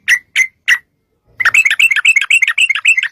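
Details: Sooty-headed bulbul song meant to prompt other bulbuls to answer: three spaced chirps, a short gap, then a rapid continuous chatter of bubbly, slightly rising notes.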